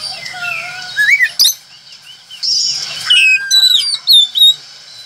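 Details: Oriental magpie-robin in lively song, opening with soft rising whistles, then loud sharp upslurred notes and quick clipped phrases in bursts toward the end, against a constant high-pitched hiss.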